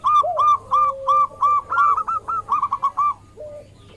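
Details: Local zebra dove singing as a lure to draw replies from rivals: a clear chain of short rounded coos, roughly three per second, speeding into a rapid rattle, then one low coo after a pause.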